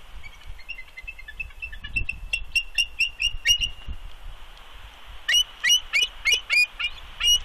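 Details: Wild female bald eagle at her nest in Big Bear, dated 3.2.20, giving warning calls at an intruding adult eagle perched nearby: high, thin chirping notes, faint and rapid at first, then loud piping notes in a quick series, with low rumbling background.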